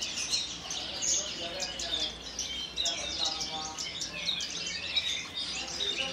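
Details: Kulon Progo Horsfield's bush lark in a collection, fluttering its wings as it sings 'Jambul' style: bright, very high chirps and clipped whistles repeated in quick bursts, with a few faint voices in the background.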